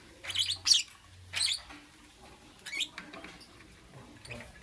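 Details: Lovebird in the morning giving a few harsh, high squeaky chirps in quick succession, then softer scattered notes over a faint low hum.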